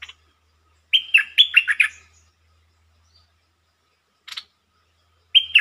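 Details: Red-whiskered bulbul singing a short lure phrase that opens quickly: a loud burst of six liquid, whistled and warbled notes lasting about a second, a brief faint chirp, then the start of another whistled phrase. The surroundings are quiet.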